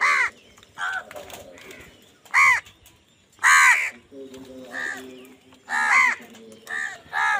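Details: Loud crow calls during a fight for food: a rapid string of harsh, rasping caws at irregular intervals, some short and some drawn out, with a low droning tone underneath midway.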